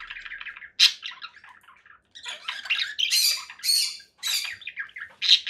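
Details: Conure parakeet giving harsh, raspy squawks in uneven bursts, some brief and clipped, others longer and grating, separated by short silent gaps, with sharp shrill peaks near the start and end.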